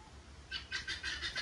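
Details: Violaceous euphonia (Euphonia violacea), a fruit-eater, handled in a jabuticaba and cashew orchard, mimicking other birds with a quick run of harsh, chattering borrowed notes, a habit used to scare off predators.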